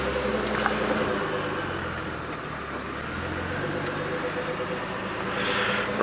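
Vehicle engine idling with a low throbbing rumble and a faint murmur, ending in a sudden louder knock; no animal voices stand out.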